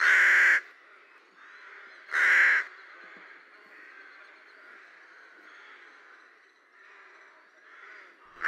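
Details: A rook (Corvus frugilegus) in spring, when rooks return to Lithuania, gives two loud, harsh caws about two seconds apart, with a third starting at the end, over a soft background chatter of other birds.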